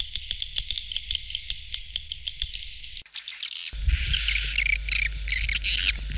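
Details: Edible-nest swiftlet lure sound for a swiftlet house: quick dry ticking chirps repeated irregularly over a low hum, then an abrupt cut and a denser burst of high buzzy twittering.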